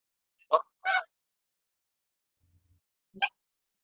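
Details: Canada goose giving three short honks: two harsh, nasal calls close together, then a single clipped honk after a pause of about two seconds, with silence around them.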